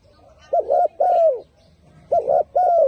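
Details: Turtle dove with a loud, clear cooing voice: two phrases of short paired coos followed by a drawn-out falling note, a pause between phrases, background otherwise quiet.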